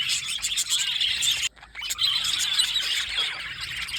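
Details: Two blue male budgerigars chirping together in a continuous, busy high warble of twittering notes, with a brief pause near the middle before the chatter resumes.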